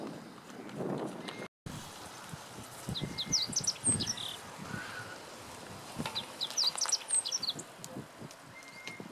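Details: Meadow bunting in April 2017 at Lake Teganuma: two short, high, twittering song phrases a few seconds apart, against rustling and low background noise.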